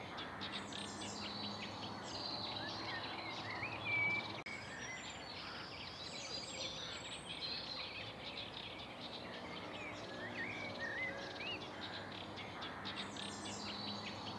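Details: Eurasian reed warbler hidden in a reed bed at a reserve pond, with many others around, gives a steady, scratchy chatter of repeated churring and grating notes with the odd sharp whistle, over a rustling background hiss.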